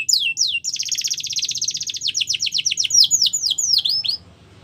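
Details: Training song of a canary, loud and close: two sweeping downslurs, then a fast buzzy trill followed by a series of repeated descending whistled notes, about four per second.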